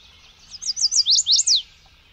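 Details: Chestnut-sided warbler singing a quick phrase of about six high, sweet, slurred notes, each rising then dropping, growing louder and ending with an emphatic final note, over near silence.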